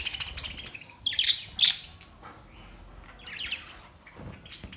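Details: Budgerigars, May 29, 2023, with breeding noted: soft background twittering broken by two loud harsh squawking chirps, then scattered scratchy calls and a low thud.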